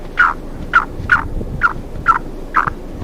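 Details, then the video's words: A pair of Black francolins roaming free in a forest; one gives six harsh, grating mid-pitched notes at roughly two per second, unevenly spaced, over a low background rumble. "Black francolin voice"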